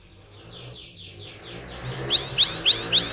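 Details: Canary producing soft, repeated rising slurred notes that grow into loud, clear upswept whistles repeated about every third of a second, over faint low background hum.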